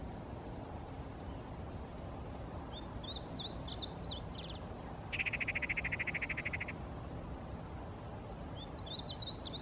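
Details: A male painted bunting at Rattlesnake Springs, New Mexico, on May 6, 2016 sings high, sweet warbled phrases twice, with a louder, buzzy, even trill between them and a steady low rumble of wind beneath.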